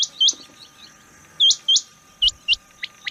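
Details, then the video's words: Rain quail giving sharp, high, upslurred notes in pairs, three pairs spaced roughly a second apart. A few fainter notes, low thumps and a faint steady hum are also heard. "rain quail chniag batair ki max awaz"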